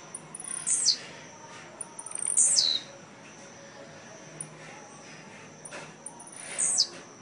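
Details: Blue-black grassquit at a Jacarepaguá singing tournament, Rio de Janeiro, Brazil, November 2017, where competing birds gave 209 and 93 songs. Three brief, very high downslurred buzzy notes come roughly every two to four seconds.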